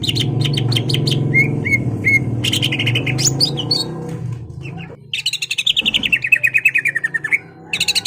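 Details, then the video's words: Greater green leafbird in full song, singing to provoke a rival into fighting: rapid bright whistled notes, sliding phrases and a long descending warbled run, over a steady low hum. "CUCAK IJO GACOR MEMANCING EMOSI LAWAN AGAR MAU JAMTROK DAN TARUNG"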